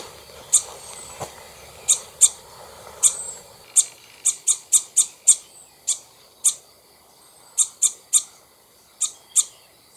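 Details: Common starling alarm call from the top of a tree holding its nest, two starlings present, shortly before a raptor attack: sharp, very high clicking notes repeated irregularly, in bursts of two to five, over faint background hiss.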